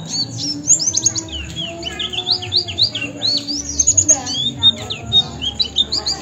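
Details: Oriental white-eye tutor song for training caged birds, a rapid stream of high, sharp chirps and sweeping twittered notes, loud bursts near the start and middle, with a faint low hum underneath.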